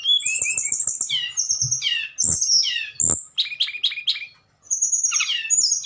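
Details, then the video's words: Tledekan in nyuling fluting song, a dense run of high sweeping whistles and chattering trills with brief pauses, accompanied by scattered clicking taps. "Burung tledekan nyuling"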